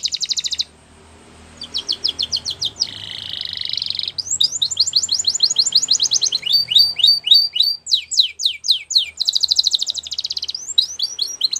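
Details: Champion Belgian canary song for training: strong continuous song of fast high trills, buzzy rolls and sharp descending sweeps changing tempo every few seconds.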